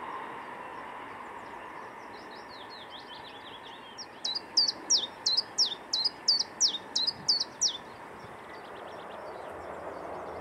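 Common chiffchaff song: about ten high, sharp falling notes repeated evenly at roughly three per second, over a steady low background rumble.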